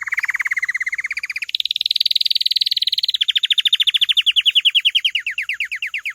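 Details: Canary delivering continuous rolling trills, with a lower buzzy run jumping to a higher, faster trill, then slowing into distinct downward-sliding notes; loud and close.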